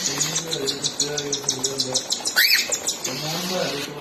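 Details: Cockatiel chicks at feeding time from their mother, a quick pulsing high begging chatter, a single rising whistle midway and low cooing tones underneath.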